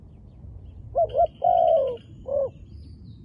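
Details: Wild dove with dark plumage cooing: a short double note, a long steady hoot easing downward, then a single short closing note. A thin faint whine runs beneath the call.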